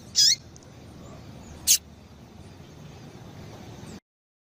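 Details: Female double-collared seedeater calling to stimulate males: two short, high, sharp chirps about a second and a half apart, each with a quick downward slur at the end, over a steady low hiss.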